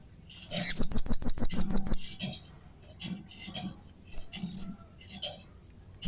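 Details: Blue-crowned hanging parrot calling oddly and fiercely: a fast, evenly spaced run of about eight shrill high notes, then quiet low knocks and a single loud squealing note.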